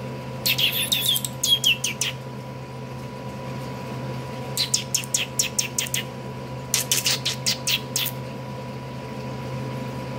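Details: A pet parakeet, described as throwing a hissy fit, gives bursts of harsh, scratchy chattering calls in three rapid volleys, with a steady electrical hum behind.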